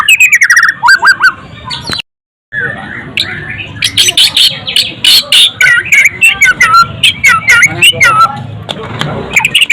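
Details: White-rumped shama (murai batu), said to be a frequent contest winner, sings dense bursts of sharp chirps and twisting whistled notes after a brief silence, the phrases packed closely together.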